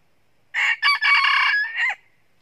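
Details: Wild Red Junglefowl rooster, one of two roosters crowing very loudly before running into a fight, recorded in 2019 during trapping: a loud, harsh crow in four segments, two short opening notes, a long buzzy middle and a brief trailing end.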